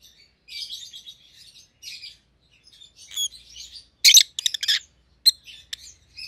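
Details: Two caged rosy-faced lovebirds, a white-headed pallid opaline and a white-headed green opaline, chirp in a run of soft high twittering notes, then a burst of loud harsh broadband chirps near the middle, with scattered sharp calls after.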